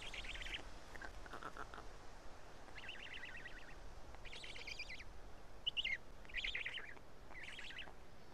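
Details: Black stork nest in Karula, Estonia, 31 May 2017 around midday, as an adult brings two big fish and the chicks pick out pieces: short buzzy, rattling bursts, each about half a second, repeating irregularly over steady background hiss.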